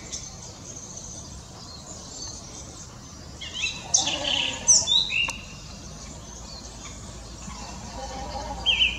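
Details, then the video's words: Mistle thrush (Turdus viscivorus) singing at Pateira, Espinhel, Portugal, 16 March 2017, a bird said to sing at dawn and sunset: a short burst of loud, fluty, warbled phrases midway, then a brief phrase at the end, over steady hiss. "Canto da Tordoveia, Turdus viscivorus"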